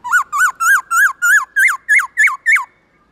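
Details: Rapid series of nine short hooked whistles, each rising then dropping, creeping slightly higher in pitch, from a black-throated laughingthrush singing loud, clear "forest voice" song in the morning.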